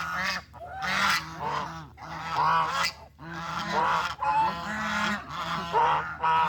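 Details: Flock of farm geese walking in the countryside while searching for food, calling with harsh, repeated honks about forty times a minute, overlapping voices rising and falling, short gaps of quiet.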